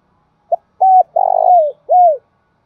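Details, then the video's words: Spotted dove giving a 'thúc bổi' and 'gáy gọi' style cooing phrase: a short low note, a level coo, a throaty rolling coo sliding downward, then a final arched coo. Mellow and hollow, in a quiet setting. "tiếng cu gáy thúc bổi & Gáy gọi mới nhất, chim gáy vừa dài và đẹp mã hót hay"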